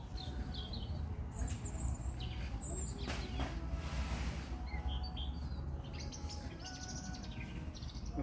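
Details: European robin singing at a garden centre: high, thin warbled phrases and trills in short bursts with pauses, over steady low rumbling background noise.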